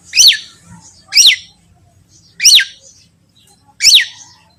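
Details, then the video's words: Long-tailed shrike, a training recording meant to set other shrikes singing: four sharp, high, downward-swept notes, one about every 1.3 seconds, with a faint low hum between them. "Terbukti ampuh... cendet lain bakal langsung bunyi || masteran cendet"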